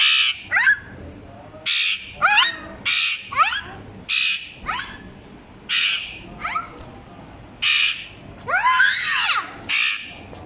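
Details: Pet parrot imitating a young child's voice, giving loud raspy squawks interleaved with quick upward-sweeping tonal phrases and one longer arched wail near the end, repeated steadily.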